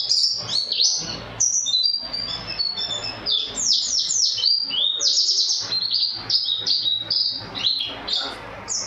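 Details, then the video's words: White-eye, a national champion singer with a booming voice, delivering canary-style song: rapid, high, tumbling notes, downward-sweeping whistles and buzzy trills packed tightly with barely a pause. "Burung pleci suara gledek"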